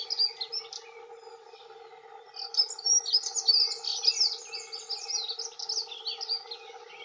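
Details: Male dunnock territorial song, two males present: a short warbled snatch opens, a pause follows, then a longer, hurried, squeaky jingle of high notes runs for about three seconds over a low constant drone.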